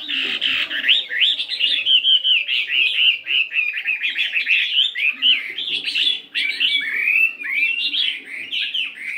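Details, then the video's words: Morning voice practice of a 72-gram fighting Chinese hwamei: long unbroken run of clear, varied whistles, rapid slurs and swooping notes, switching phrase after phrase, with a faint low hum underneath. "Tiếng Chim Hoạ Mi Chiến 72gam Hót Đảo Giọng Rất Hay"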